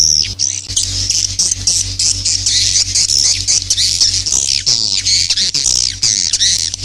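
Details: Swiftlets calling, a sound used to attract young birds into a new nesting building; dense, high-pitched twittering squawks run without pause, with a faint low steady hum underneath.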